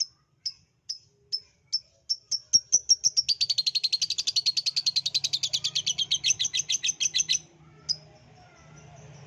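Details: Lovebird sound used as a lure to make other lovebirds sing: spaced shrill chirps speed up into a long, fast, rattling high trill lasting about four seconds, ending with one more chirp over low background hum.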